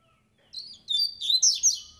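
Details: Black-collared seedeater song, described as fast and strong: a two-second burst of high, twittering chirps and buzzy trills that rise in intensity, with faint low background rumble.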